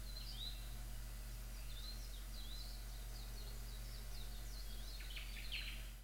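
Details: ʻŌmaʻo singing a thin, warbling string of high slurred notes, faint and continuous, ending in a burst of brighter notes, beneath a heavy low hum.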